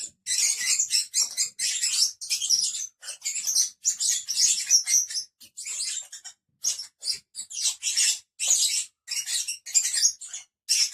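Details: Five pet lovebirds keep up a steady stream of shrill, piercing chirps and squeaky chatter, repeated in rapid irregular bursts throughout.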